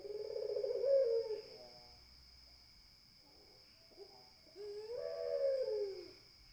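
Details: Two mellow drawn-out coos from a spotted dove (puter), separated by a quiet gap of about three seconds with a few faint soft notes, backed by a steady high hum.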